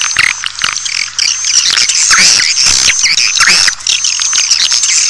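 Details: Swiftlet calls played to lure swiftlets: a loud, dense chorus of high chirps and squeaky twitters with brief downward notes, over a steady piercing tone and a low background hum.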